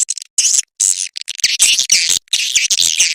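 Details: 'SP Mama Mudah' swiftlet attraction call: very high, hissing, buzzy chirrups packed into near-continuous bursts with short gaps, intense and sibilant throughout.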